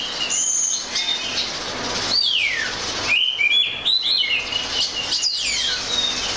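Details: Oriental magpie-robin delivering a high whistled song with thin sustained notes, a long falling slur and rapid chirping warbles.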